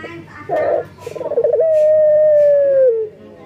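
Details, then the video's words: Male local collared dove in breeding condition, calling to females: a short opening note, a quick rolling trill, then one long, steady, low coo that slides down at the end. "BURUNG PUTER LOKAL JANTAN BIRAHI MEMANGGIL BETINA"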